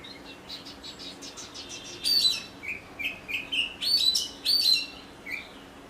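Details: Oriental magpie-robin singing over a steady background hiss: soft high notes build into loud bursts of rich whistled and scratchy phrases, with short downslurred whistles between them.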